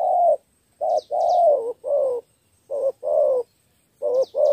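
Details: Decoy spotted dove calling to lure wild doves, three-note style: drawn-out hoarse coos, some slurring downward, spaced unevenly, with brief high twitters from other birds in the background.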